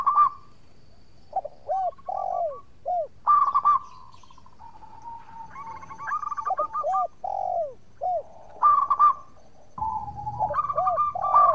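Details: Lure recording of an active local zebra dove meant to make rival birds call back: scattered cooing phrases mixed with deeper, drooping notes from another dove, and brief faint rumbling near the end.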